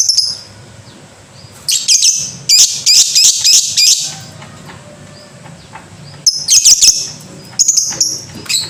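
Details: Rapid lovebird chatter: a fast string of shrill, buzzy chirps over two seconds, a pause, then another quick burst and single high notes, all very bright and sharp.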